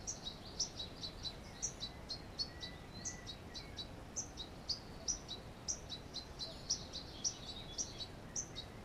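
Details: Song thrush (Turdus philomelos) at its nest in a hollow, 10 June 2015: thin, high chips repeated about twice a second in an uneven series, over a steady hiss of background noise.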